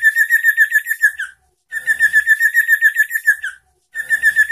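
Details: {'caption': 'Energetic sooty-headed bulbul song meant to stir rival birds into answering: three bursts of a rapid, buzzy, evenly pulsed trill, each about 1.5 seconds long, separated by short silences.'}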